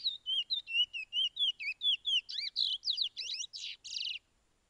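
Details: Caged-bird training song of the Chestnut-bellied seed finch, known in Suriname as Picolet or Curio, 'pije pije' type: a quick steady run of wavy high whistles building into denser, buzzier twisting notes before stopping.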